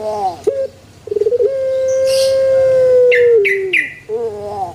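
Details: Male Barbary dove: a brief note, a fluttering stutter, then a prolonged steady coo that falls at the end. Three sharp chirps from another bird follow.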